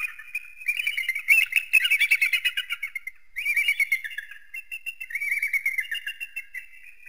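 An eagle gives high, thin chattering series of quick piping notes, several per second, in two or three bursts with brief pauses between.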